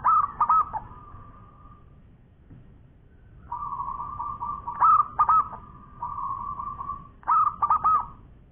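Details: Local zebra dove singing a long song: short clusters of bubbly coo notes separated by long, steady humming tones at the same pitch, with little other sound.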